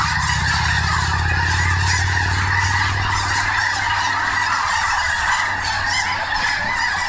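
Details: Snow geese at Snohomish: a loud, continuous chorus of nasal yelping honks from a big flock, and a low rumble fades out after the first few seconds.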